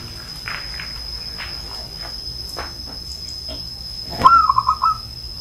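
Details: An old zebra dove gives one short, rolling coo phrase of rapid bubbling notes near the end, after faint scattered clicks and a low background hum.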